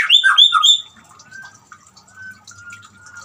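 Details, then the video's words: White-rumped shama song meant to prompt a quiet bird to sing: a burst of loud descending whistled notes, then a faint thin sustained whistle over soft low background murmur. "siulan murai batu cocok buat terapi murai macet bunyi"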